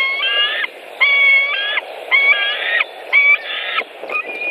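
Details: White-tailed eagles at a nest in Latvia on 23 May 2018, during a long feeding after an adult brought fish: thin, harmonic squealing calls in half-second bursts, repeated about once a second over a steady broadband hiss.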